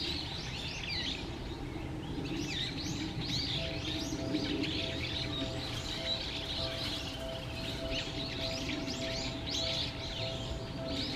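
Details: Little grebe chicks calling at feeding time in a Japanese park pond, Musashiseki Park, late November 2023. Incessant high chirping, many short notes overlapping, with a steady low hum and broad background noise underneath.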